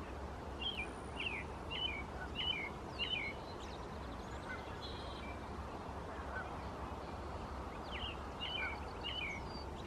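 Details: American robin singing in the Squamish River estuary, British Columbia: short whistled, caroling phrases given in runs, a pause, then another run, fairly faint over a steady low rumble.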